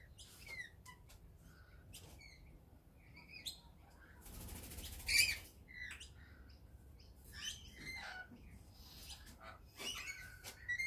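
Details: Several rainbow lorikeets lined up on a fence waiting to be fed give short, harsh, screechy chirps in quick overlapping bursts. A brief rush of rustling or wing noise breaks in midway.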